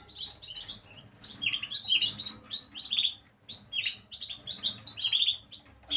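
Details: Gloster canary on 9 January 2023 pouring out a lively, fast sequence of high chirped and warbled notes in repeated phrases, with only brief dips between them and a quiet hum behind.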